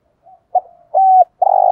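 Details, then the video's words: Spotted dove cooing in the morning: a faint short note, then a brief coo, a longer steady mid-pitched coo, and the start of a loud throbbing coo, all against silence. "chim cu gáy kích bổi thúc gáy gọi bổi buổi sáng"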